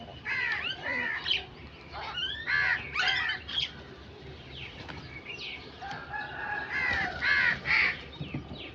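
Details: Crows give hoarse, downward-curving caws in loose series, sometimes overlapping, with short quiet breaks throughout.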